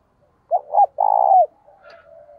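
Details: Spotted dove kept as a decoy, cooing to call in wild doves: two short low hoots followed by a longer, rolling, purring coo, then a faint trailing murmur; otherwise quiet.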